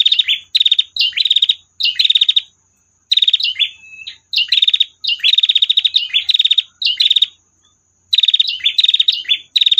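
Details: Long trill from a female prinia, delivered as bursts of fast buzzy pulses separated by short pauses, with occasional slurred notes linking phrases; clean recording without other sounds.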